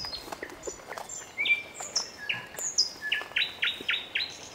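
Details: Nightingale singing: a run of varied clear whistles at differing pitches, then a quick series of repeated upswept notes at the end, with light background hiss.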